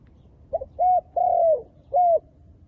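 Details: Spotted dove decoy luring wild doves for trapping, giving a stuttered short note, then a run of three rounded coos, the middle one longest and sliding slightly downward; background otherwise quiet.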